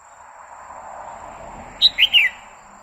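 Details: Female red-whiskered bulbul singing continuously to excite a male: a short bright burst of three sharp, slurred whistled notes, rising then falling, after a quiet lead-in.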